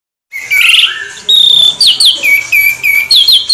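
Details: Orange-headed thrush, a rolling song: a long rich warble near the start, then quick whistled slurred notes swooping up and down in a continuous varied stream.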